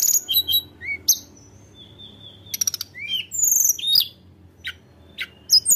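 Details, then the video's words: Sunda robin in full song to provoke rivals: varied high whistles and chirps, a long level whistle, a rapid burst of clicks, and more bright sliding notes, over a low hum. "tledekan gunung gacor Memancing emosi lawan"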